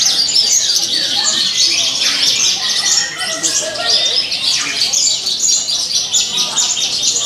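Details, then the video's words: A captive Horsfield's (Javan) bush lark sings on a hanging cage pole: a dense, high, scratchy stream of chirps, trills and mimicked notes, with other birds chattering nearby and faint voices in the background. "Branjangan Jawa Gacor Isian Mewah"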